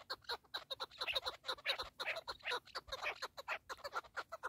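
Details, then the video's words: Fast, rattling run of partridge chuckles: short, raspy notes packed closely together, some louder and broader, delivered in an uneven but continuous stream with a faint high whine in the background. "KEKLİK / PARTRİDGE"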